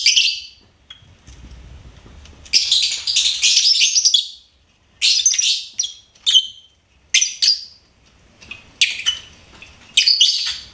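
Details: Pet lovebird song: loud bursts of fast, harsh twittering and high squeaky chirps, a long run lasting about two seconds, then shorter sharp phrases spaced by quiet gaps.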